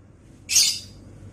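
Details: Lovebird vocal training sound: one loud, strident, noisy squawk lasting about a quarter second. It starts abruptly and fades quickly against a steady low hum.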